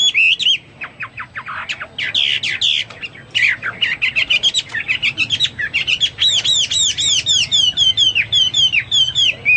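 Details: Hwamei singing vigorously: bursts of sharp, rapid notes give way to ringing, arched whistles repeated in quick series, then lilting upslurred notes, continuous and varied throughout.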